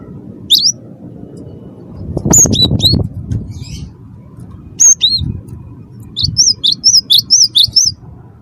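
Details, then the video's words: Wingko cinereous tit singing to provoke other birds: scattered high whistled notes, a burst of flapping and rustling, then a fast regular series of sharp high whistles at the end. "gelatik batu wingko gacor pancing bunyi suara cerewet"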